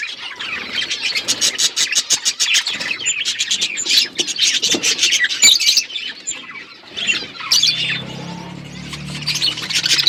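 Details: A flock of budgerigars kept in an outdoor aviary keeps up dense, scratchy twittering and rapid clicking chirps, with a steady low hum in the background toward the end.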